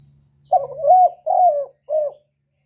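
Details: Lure call of a spotted dove used to stimulate other doves: a single phrase of three throaty coos, a rough rising note, a long falling one and a short ending, over a faint low hum.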